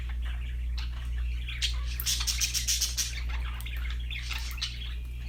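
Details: Happy parakeets chattering, a rapid run of dry clicking ticks and scratchy high twitters building mid-clip, set against a loud steady low hum.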